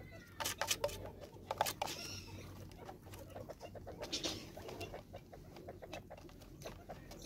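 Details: Helmeted guineafowl in South Africa competing over food give harsh, grating rattles and sharp clicks in quick, irregular bursts, loudest early on, over a steady low hum.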